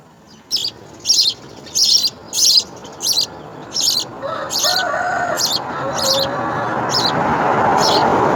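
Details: Begging house sparrow chicks being fed insects give about nine rapid, high, raspy chirps before a rising rush of background noise covers the end.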